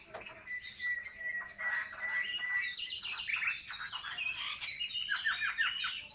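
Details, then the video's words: Caged Chinese hwamei in Vietnam singing in the 'ngũ trường cao cầu' style: dense overlapping chatter and whistles over a held high note, with a brisk series of clipped notes near the end. "HM 230 ngũ trường cao cầu"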